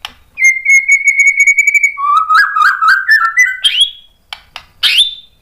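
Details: Loud White-rumped shama song used to make other birds answer: a long level whistle, a lower stuttering run of quick notes, then sharp upward-sweeping whistles separated by brief pauses.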